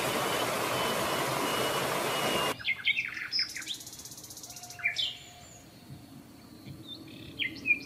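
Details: Several sparrows feeding on leftover breakfast food at a hotel restaurant in Marsa Alam, Egypt; an opening burst of broad rushing noise gives way to scattered sharp, high chirps and short downslurred calls.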